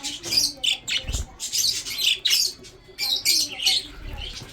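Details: Budgerigars in a breeding setup chirp while feeding, giving repeated harsh chattering bursts and squeaky squawks, each lasting under a second, with brief gaps and a soft thump.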